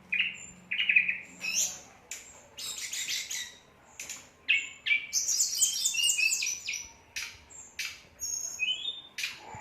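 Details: Whistler singing energetically, alternating clear mid-pitched whistled notes with dense high buzzy, rattling bursts and quick repeated trills, phrases separated by brief gaps; faint steady hum in the background.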